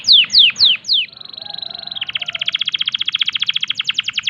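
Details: Canary in breeding condition in full song with 'tembakan' bursts to provoke other canaries: four steep falling notes, a held thin whistle, then an even, fast trill of repeated syllables that keeps going.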